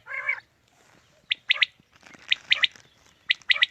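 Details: Quail calls used to lure birds for a morning hunt: one low, nasal, buzzy note, then sharp high clipped notes in pairs and triplets about once a second.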